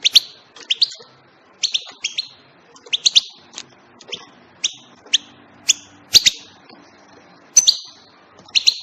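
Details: European goldfinch delivering a steady stream of loud, sharp chirps in pairs and triplets, repeated about once a second throughout, crisp and ringing against a quiet background.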